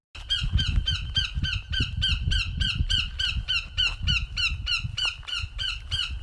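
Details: A captive female northern goshawk at a wildlife centre in spring, vocalizing more, likely announcing springtime, calls a steady, rapid run of harsh, nasal kak notes, about three each second, over low rumbling wind and handling noise.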